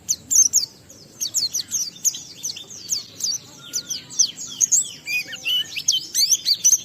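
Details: Oriental white-eye song, ngalas style with riwikan fills, intended to stimulate other white-eyes: a steady stream of sharp, high, downward-sweeping chirps, later joined by lower slurred whistles.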